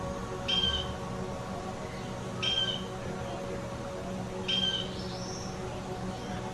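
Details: A male Blue Jay at an interactive Indiana State Museum exhibit gives three harsh, high shrieks about two seconds apart to proclaim his territory, over a steady low indoor hum and murmur.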